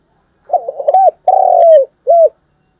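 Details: Calling song of a decoy spotted dove, used to stimulate decoys in trapping: gentle gurgled intro, a bowed coo, a sustained downward-sliding coo and a quick last coo, deep and mellow.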